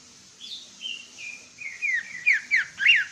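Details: Greater green leafbird, a Cucak Ijo from East Java, singing actively: a clear whistled phrase with a long, slightly falling note, then sharp downward-sweeping whistles that grow louder toward the end.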